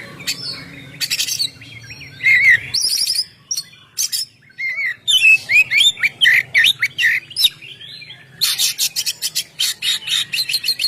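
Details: Ngeplong song of an oriental magpie-robin, used to lure birds: scattered harsh clicks and buzzy notes, a middle run of whistled slurs, then a long rapid burst of grating buzzy syllables.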